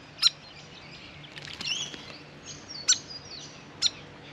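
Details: Grey fantail bathing at a backyard birdbath, giving three sharp high chips and a short thin squeaky sliding phrase between them, against a low steady hum.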